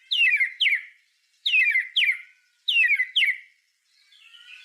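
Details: White-rumped shama song used as a master recording for tutoring other songbirds, full of rapid bursts: paired, bright, descending whistled phrases repeated three times about every 1.2 seconds, with a fainter warble at the end.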